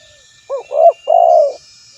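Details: Spotted dove calling a rival, recorded as a lure: one phrase of a short low coo, a rising-falling coo, then a drawn-out level coo, clear and close in a quiet setting.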